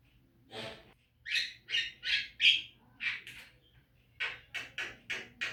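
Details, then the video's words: Javan myna in a recording used to encourage caged birds to sing: harsh, rasping squawks in quick irregular runs, several clustered notes, then a pause and another burst of short scratchy notes. "Masteran jalak kebo agar rajin bunyi"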